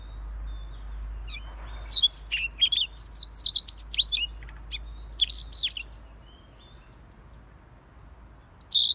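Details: A Siberian rubythroat (si leher merah) sings a busy gacor phrase: many quick, high chattering notes and thin whistles for about six seconds, then a pause and a last chirp, over a low background rumble.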